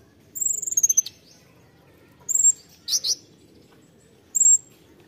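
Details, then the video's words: Konin tembakan song: a rapid falling series of high whistled notes, followed by short whistles and two rasping buzzy notes, spaced over several seconds. "KONIN TEMBAKAN"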